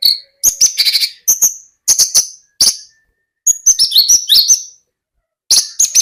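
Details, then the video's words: Lark singing in short bursts of high chirps and whistled trills separated by brief pauses, some notes sliding upward. "Branjangan Gacor"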